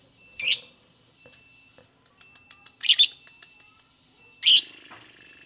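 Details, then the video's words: Lovebird singing, three loud, sharp, high chirping bursts spaced about two seconds apart, with faint quick ticking notes between them in a quiet setting. "INI CARA MEMANCING BURUNG LOVEBIRD, PASTI BUNYI MENDENGAR VIDEO INI.. LOVEBIRD SINGING"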